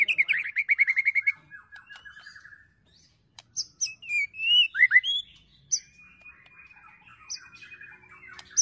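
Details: White-rumped shama singing an emotional 'ketrekan' song with cililin, prenjak and tir imitations, for training and provoking birds: a fast rattling trill, brief pause, then bright whistled slurs and a long thin steady whistle with scattered chips.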